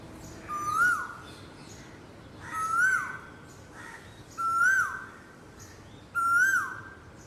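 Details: Asian koel calling, four loud whistled notes about two seconds apart, each rising then sliding downward, over a faint hum of background noise.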